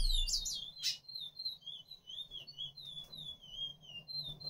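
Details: Seed finch (picolet), apparently courting, sings a fast, sweet, warbling stream of high twittered phrases that rise and fall without pause, over a low steady hum and one brief rustle.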